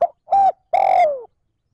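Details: Spotted dove in 'trơn ròng' calling to stimulate wild doves: a single close, loud phrase of a brief coo, a level held coo, then a long croon sliding downward.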